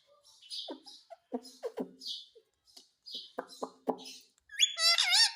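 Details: Talking Indian ringneck parakeet said to say "mummy mummy": a run of short, voiced, speech-like syllables in irregular bursts, ending in a loud, harsh, harmonic squawk that bends up and down.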